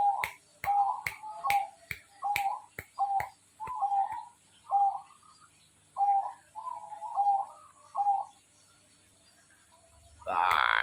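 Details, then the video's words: Zebra dove (perkutut) singing vigorously; a series of low, soft coos with sharp clicks between them, then longer warbled coo phrases repeated about every second, ending with a brief loud noise. "burung perkutut gacor"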